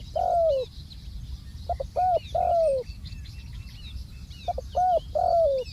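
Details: Decoy spotted dove calling on the ground during Thai trapping: long falling coos alternate with clusters of short stuttered notes, in two phrases separated by a pause, with faint high chirps of other birds behind.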